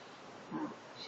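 An Alexandrine parakeet talking: two short, voiced, speech-like syllables, the second sharper and higher, over a soft room hiss.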